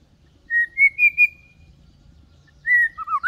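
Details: White-rumped shama lure song for teaching young birds to sing, kept gentle rather than aggressive: a steady whistled note breaking into short bright pulses and a trailing tone, then after a pause another whistle and a sharp downward slide.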